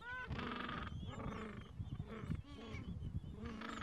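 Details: Gentoo penguins at the edge of a breeding colony in the Falkland Islands, adults tending two- to three-week-old chicks on a mild afternoon; harsh braying calls with stacked harmonics overlap, several birds calling at once over low rumbling background.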